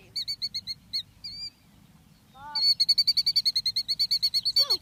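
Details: Killdeer near its eggs calling while people come too close, a behaviour for protecting the eggs; a run of piercing high notes, a pause with a short human voice, then a rapid steady stream of about twenty notes over low background rumble.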